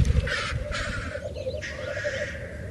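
Black grouse give three harsh, hissing bursts over a steady, low bubbling murmur, with a strong rumble of wind beneath.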